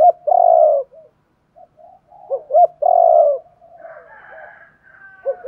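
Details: Spotted dove giving calling coos to stimulate wild-caught birds. Two long, rich, burry coos are each preceded by a pair of short sharp notes, with soft murmuring and faint higher chatter between them.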